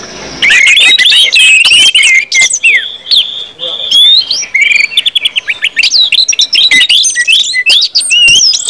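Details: Ngeplong-style song of an orange-headed thrush, played to prompt other birds into singing; fast jumbled warbling of rising and falling whistles interspersed with sharp clicks and chatter, sustained throughout without breaks.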